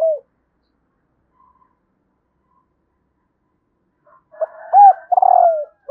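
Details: After a clipped falling coo and four seconds of quiet, a female spotted dove calling to stimulate males delivers a short note, an arched coo and a long rolling croo that slides downward.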